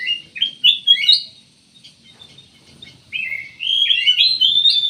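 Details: Loud warbled bursts from a black-naped oriole, a pause, then a rising string of slurred, tumbling notes.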